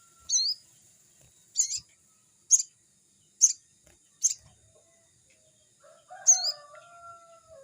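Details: Crimson sunbird recorded as a training lure for young birds; single sharp, very high chips spaced about a second apart, then a lower drawn-out whistle from another bird at the end.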